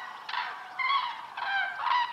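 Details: Wintering common cranes, migrants from 3000 km north, in Iberian holm-oak woodland on a freezing morning trumpet in loud, rolling, bugle-like calls, four overlapping bursts in two seconds, as from several birds in a flock.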